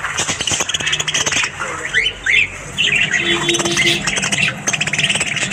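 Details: Morning budgerigar chatter with squeaky warbling notes and a few clear rising whistled calls, interrupted by bursts of clicking and a low steady hum in the background.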